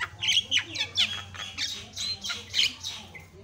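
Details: Javan myna song with varied phrases, played to tutor and rouse other mynas. Steady stream of grating squawks and chattering notes comes in rhythmic pulses about every half second.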